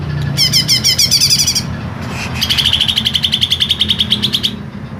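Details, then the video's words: Green leafbird, a kept songbird, singing a long varied song with a harsh voice: rapid sweeping whistled notes, then a long run of quick repeated chattering notes, over a low background hum. "CUCAK IJO MASTERAN PANJANG DAN SUARA KASAR"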